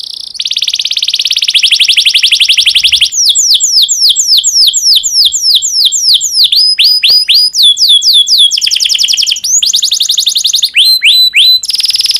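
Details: Domestic canary in breeding condition, sung to encourage other canaries to sing quickly: long fast buzzing rolls alternating with loud, repeated, swooping whistled syllables, changing tours every few seconds.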